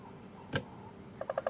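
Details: During a morning safari drive at Djuma and Arathusa Game Reserve on 22 January 2015, a woodpecker gives a territorial rap, not feeding: one sharp knock, then a quick run of four hollow taps under a second, likely on a hollow gall in a marula tree, over quiet hiss.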